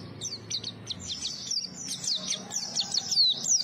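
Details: Small white-eye singing to entice other white-eyes, a slightly softer string of high chirps and quick slurred whistles delivered in uneven bursts over faint low background hum.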